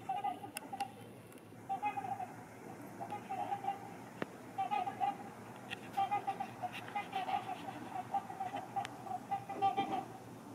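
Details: Two pairs of trumpeter swans on the ice of Rush Lake, waiting for it to open and claiming a prime nesting spot. Distant, horn-like honks come in short, repeated bursts through most of the recording over a steady background hiss.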